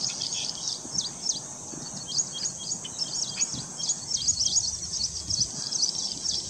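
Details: A Plain prinia (Prinia inornata) singing in reeds gives thin, high chirps and wheezy notes quickly and unevenly, overlapping other small birds' calls against a steady outdoor hiss.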